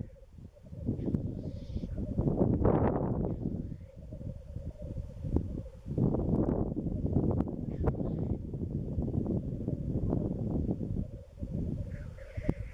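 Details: East Wales black grouse lek in March, with females around: a persistent low bubbling murmur rises and falls beneath bursts of wind noise, faint hissing notes scattered above.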